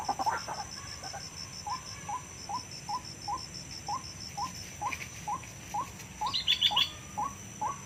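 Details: White-breasted waterhen lure recording taken from the wild, played to draw birds into nets or traps: short upward-bending notes repeated about twice a second, with a steady high beeping series early on and a brief higher twitter near the end.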